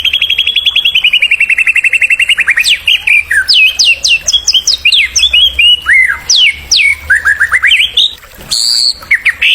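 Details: Rich white-rumped shama song played to stimulate young birds: a long rapid descending trill, then a jumble of sharp whistles, steep slurs and rising notes, with a brief pause near the end.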